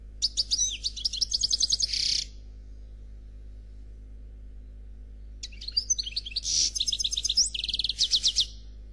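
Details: A Noir Khalwi European goldfinch delivers two bursts of flawless song separated by a three-second pause. Each burst is a quick, tinkling, buzzy twitter of rapidly repeated high notes, over a constant low hum.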